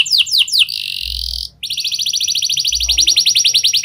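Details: Canary using lovebird and prenjak phrases, meant to get other canaries singing: three quick sweeps, a harsh buzzy stretch, a brief pause, then a rapid even trill of repeated chirps.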